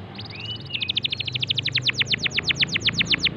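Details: Canary song used to stimulate a silent canary into singing: a quick series of high notes and a rising whistle, then a fast trill of repeated downslurred notes, about eight per second, over a faint low hum.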